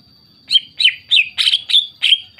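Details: Greater green leafbird song used as a lure to get other leafbirds to answer and sing: a quick run of sharp, chirpy notes, about three a second, over a thin steady high whine.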